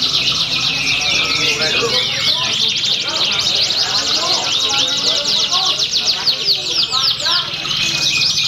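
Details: Canary in a Pringsewu bird-song competition, 22 September 2019, nominated for a top prize; continuous high rattling trills and chirps blend with other singing birds, human voices and some mechanical background noise.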